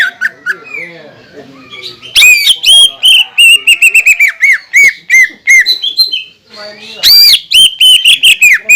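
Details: Provocation song of a greater green leafbird, meant to spur lazy or newly moulted birds into singing: soft opening whistles, then loud bursts of clipped, bouncing notes, a short lull, and another powerful phrase.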